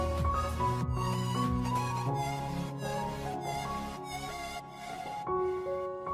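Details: Instrumental music with sustained tones and a steady beat throughout, and no animal sound heard.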